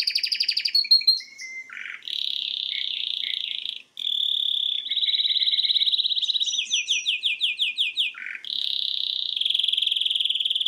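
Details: Male canary singing in front of a TV, with sustained buzzy rolls, brief lower notes, a smooth steady tour and a quick series of descending chirps, then another loud trilled roll.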